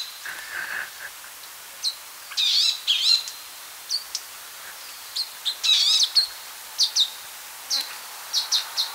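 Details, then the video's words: Palestine sunbird (Cinnyris osea) giving high, sharp chirps and short, rapid buzzy trilled bursts, scattered irregularly with two louder twittering phrases near the start and middle, in a quiet outdoor setting. "Palestine Sunbird | Beautiful Chirps & Songs"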